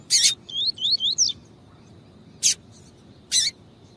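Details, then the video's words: Female double-collared seedeater call meant to warm up the male: a loud click, a quick run of four or five rising whistled notes, then two more widely spaced sharp clicks. "COLEIRO TUÍ-TUÍ COM FÊMEA CHAMANDO ESQUENTAR COLEIRO"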